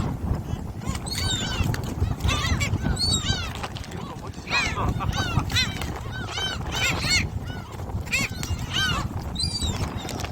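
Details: Flock of gulls being fed shrimp crackers at Jebudo island, Korea, giving a steady stream of nasal, downward-curving squeals from many birds at once over a constant low background roar.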